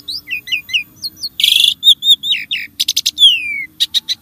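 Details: Starling song, used to coax caged birds to sing: quick paired whistled chirps, a loud harsh rasp, slurred whistles, rattling bursts and a long falling whistle, over a faint steady hum.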